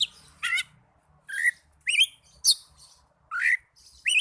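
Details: Song of an Oriental magpie-robin, for therapy of young or silent birds: loud upslurred whistles alternating with harsh, buzzy chirps, roughly every half second, over faint low hum.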